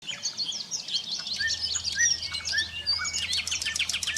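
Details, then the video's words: Common nightingale singing in competition with five to six other nightingales: rich, varied phrases of sharp whistles, chirps and rapid trills in quick succession, with a faint low hum underneath. "Nattergalesang (singing nightingale)"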